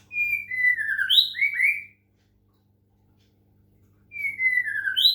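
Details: Medan white-rumped shama singing during water-sound therapy: long whistled notes sliding downward, answered by quick upward-swept high whistles, then after a two-second pause the falling whistle starts again.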